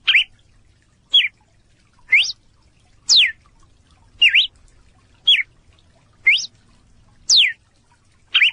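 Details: A Red-cowled Cardinal, one of three caatinga birds recorded on a farm in Brazil, sings a series of clear, loud whistled phrases, some rising and some falling, repeated about once a second against a quiet background.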